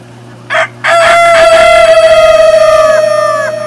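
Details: Farm rooster gives a brief harsh syllable followed by a loud drawn-out crow with a faint wavering tremble, holding level pitch for nearly three seconds above background hum.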